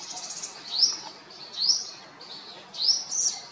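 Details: A common whitethroat feeding on fruit in India, at IIT Kanpur, gives short, high upslurred notes about once a second over a faint scratchy chatter.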